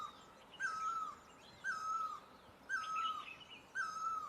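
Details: Four regular, mellow notes of a great barbet in Asia, each sloping down, roughly a second apart, over quiet hiss with faint higher bird chirps.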